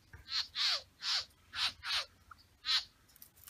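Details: A male Satin bowerbird (Ptilonorhynchus violaceus) in his bower with females gives six harsh, rasping bursts, each dropping in pitch, spaced about half a second apart over three seconds, with faint background hiss.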